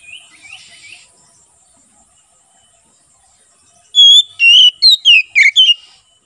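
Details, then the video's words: Oriental magpie-robin, ngeplong song style, recorded as a tutor and lure for wild birds in forest; brief softer chirps at the start, silence, then a loud run of six bright slurred whistles. "BURUNG KACER NGEPLONG SUARA COCOK UNTUK MASTERAN DAN MIKAT KACER DI HUTAN"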